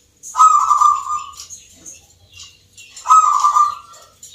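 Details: A contest zebra dove in Yogyakarta, Indonesia, performing in a Nglagu Ngepat Mentaraman rhythm competition. Two long, trilled coo phrases come nearly three seconds apart, each fading gradually, over scattered high twittering from other birds.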